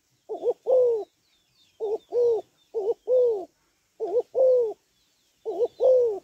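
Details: Female spotted dove calling to stimulate males: low hooting coos around 500, each a short doubled note followed by a longer falling coo, repeated in pairs about every 1.5 seconds; faint high chirps of other birds behind.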